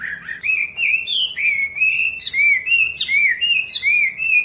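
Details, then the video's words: Captive-bird training recording of a wambi: a continuous, flowing whistled song of smooth slurred notes that wander up and down in pitch, with almost no breaks. "SUARA MASTERAN BURUNG WAMBI BELAJAR BUNYI PASTI IKUT NYAUT"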